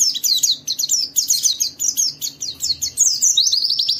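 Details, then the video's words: Fast, high white-eye chatter, a song played so other white-eyes will sing, its notes tumbling in quick falling slurs and ending in a brief rapid trill. "Suara burung Pleci ini Ampuh memicu semua Pleci cepat Buka Paruh dan gacor"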